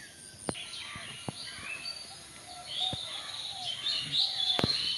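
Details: Unseen birds chirping in a garden at dusk, with busy overlapping high twittering notes, many short rising and falling chirps, and a few sharp clicks and knocks standing out from low background noise.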